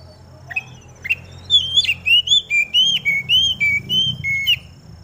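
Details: Kacer, the Oriental magpie-robin, aired in the morning dew, its song meant to set other magpie-robins singing: a rapid, steady string of bright, slurred whistles alternating higher and lower, a dozen or more in three seconds, with a low rumble beneath.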